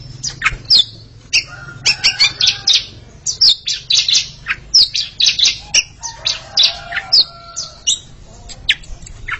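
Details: Oriental magpie-robin pair singing against each other, a series of quick sharp chips and brief whistled notes repeated in short bursts, moderately loud against a quiet background.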